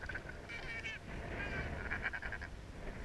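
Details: Three Tristan albatrosses in a love triangle on Gough Island give hoarse, honking, braying calls in short repeated bursts during their courtship dance display, over steady low wind rumble.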